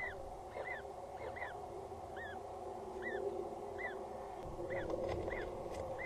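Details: Peregrine falcon chick in its nest at Axel Tower, Netherlands, 14 April 2019 at 19:07: thin arched peeps repeat roughly every half second over steady low background rumble.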